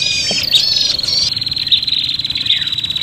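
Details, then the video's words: Prinia call used for luring birds, agitated as if fighting: one sustained shrill buzzing trill with a faint overtone above it, with a couple of quick chirps near the start. "suara prenjak pikat ribut tarung"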